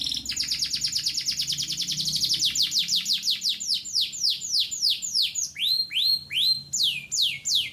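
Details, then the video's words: A canary sings long and hard: a rapid high trill speeds along for two seconds, then slows into a series of separate whistled swoops that fall in pitch, each about half a second apart. "KENARI GACOR DURASI"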